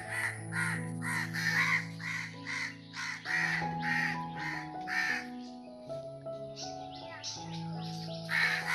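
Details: A crow calls from high in a tree in a long series of about a dozen raspy caws, some in quick pairs, over sustained background music.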